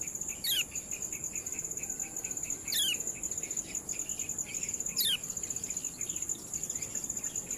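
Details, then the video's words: Kecial kuning ciak calls: three sharp descending sweeping squeaks roughly every two and a quarter seconds, separated by rapid rhythmic chips, all set against a continuous shrill ringing drone and faint hiss. "CIAK ANDALAN OBATI KECIAL MU YANG MALAS BUNYI"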